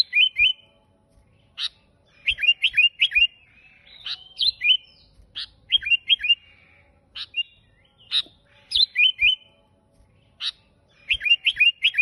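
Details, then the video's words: Sooty-headed bulbul, called kutilang, singing energetically in gacor style. Repeated clusters of three or four quick, slurred, downward whistles mix with sharp single clicks and chips throughout. "KUTILANG GACOR suara aneh tapi KEREN cocok buat pancingan dan masteran kutilang"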